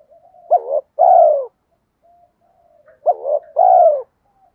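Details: Spotted dove cooing as a lure for other doves. Two phrases about two and a half seconds apart, each a brief rising-dipping note and then a full, slowly falling coo, with quiet soft notes between.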